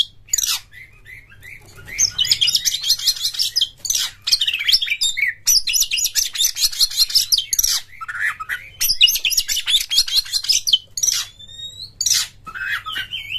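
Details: Oriental magpie-robin in loud, fast, varied song used to stimulate other magpie-robins to sing: dense bursts of harsh, scratchy phrases and sharp whistles, poured out almost nonstop with only brief pauses.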